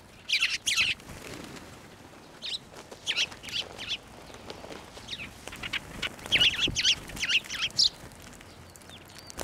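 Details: Several sparrows flocking to a hand for food at a Tenmangu shrine, 11 March 2024: scattered short chirps at first, then a quick cluster of sharp tweets near the end over a soft outdoor hiss.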